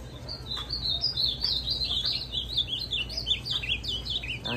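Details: An ultramarine grosbeak, a bird just out of moult and already singing well, sings a steady run of sweet, warbled, slurred notes, rising and falling without a break, over a low hum and faint talk.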